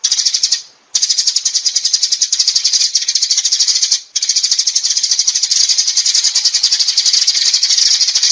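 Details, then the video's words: Sparrow summoning the flock with a sustained, rattling run of rapid high chirps, interrupted twice by short breaks. "Tiếng Chim Sẻ Gọi Bầy Chuẩn Rõ"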